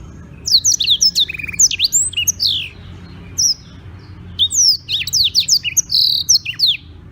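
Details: Daily singing of a black-throated canary in Beng, Gianyar, Bali, recorded as tutor material: clusters of sharp high chirps and falling whistles separated by short pauses, with a steady low background hum.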